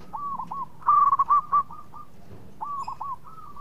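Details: Zebra dove of the local type in full voice, said to invite other birds to sing: soft hooked coos lead into a loud, fast stuttering series of ringing notes, then more gentle looping coos answer.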